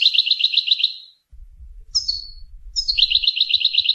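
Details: Goldfinch, a Rasta variety, singing the Tunisian-style song called Torka; bright high trilled phrases with rapid repeated notes, a short rising-falling slurred note midway, brief pause with low thumping in the background.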